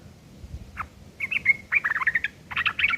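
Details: Sooty-headed bulbul giving rough chattering used as tutor material for long-tailed shrikes: a lone short note, then bursts of harsh, rapid chattering and a brief whistled slur, fairly irregular, over low background hum.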